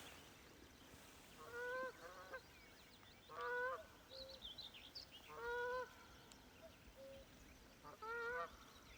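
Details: Canada geese flying over a hillside in spring give loud, nasal two-part honks, a burst about every two seconds, with overlapping calls from several birds and faint higher bird calls behind.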